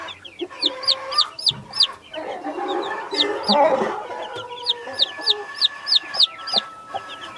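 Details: Naked neck mother hen tending Brahma, Australorp and Sussex chicks; rapid repeated high chick peeps, several per second, over low hen clucking and a steady background hum.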